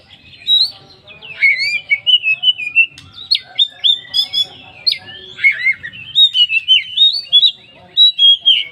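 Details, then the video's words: Full 'poci' song of an oriental magpie-robin played as a lure for other magpie-robins: quick sequence of sharp whistled notes, dropping slurs and clipped chips, energetic and varied after a short quiet opening. "pancingan Kacer poci full isian, tonton kacee anda pasti bunyi."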